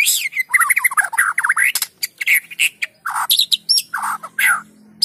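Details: White-rumped shama lure song, played so that lazy shamas will start singing: loud, rich and varied phrases of whistles, harsh squawks and chattering notes in quick succession, with short gaps between bursts.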